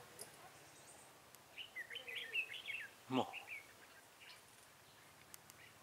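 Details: Red-whiskered bulbul during trapping on 23 October 2017; a rapid run of chirpy, warbled notes, with a brief human voice and light clicks over an outdoor background.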